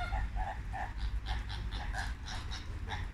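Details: Flamingos calling in the late Thursday afternoon: a quick run of short nasal honks, roughly a dozen in three seconds, overlapping like a chattering flock, with a deep rumbling background.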